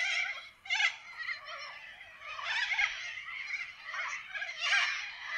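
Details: Australian forest with wild corella parrots: an unbroken wash of raspy, scratchy flock chatter, with louder harsh squawks rising every second or so.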